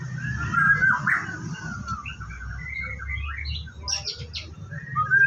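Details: White-rumped shama at a bird farm during its morning routine before bathing: drawn-out whistles and warbled phrases with some higher chips, steady and moderately loud, over low background noise.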